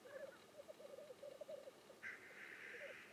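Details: Displaying black grouse: a short run of rapid, low bubbling notes gives way to a long, drawn-out, harsh hissing sneeze lasting over a second.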